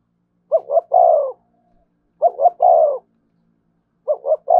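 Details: Spotted dove in the thổ voice with thúc and kèm styles: low, mellow cooing phrases of two short notes and one long descending coo, repeated three times at steady intervals in a quiet setting.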